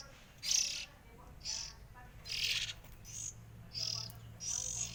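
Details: Rasping, breathy hiss bursts from three sibling Oriental magpie-robins, six in five seconds, some longer and louder, set against a constant low hum.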